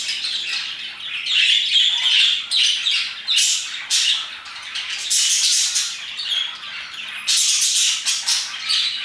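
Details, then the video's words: Around 2pm a group of parakeets sings its heart out, layered shrill chirps and raspy squawks rising and falling in waves, with brief louder bursts every second or so. "Parakeets chirping and singing their hearts out"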